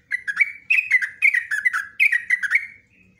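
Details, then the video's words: Yellow-vented bulbul, 'ropelan' style song with 'nguklik ngecruk' notes, recorded as a tutor for caged birds: an unbroken stream of loud, bubbling, slurred whistles in three rapid rolling phrases, each rising then dropping. "TRUCUKAN ROPELAN NGUKLIK NGECRUK"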